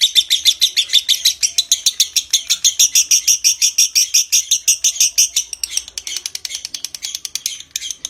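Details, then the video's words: Long ngekek konslet trill of a lovebird, used to stimulate breeding condition: dense, rapid shrill chatter, slightly looser and more broken in the last seconds. "Suara Masteran Burung LOVEBIRD Konslet Ngekek PANJANG Merangsang Birahi"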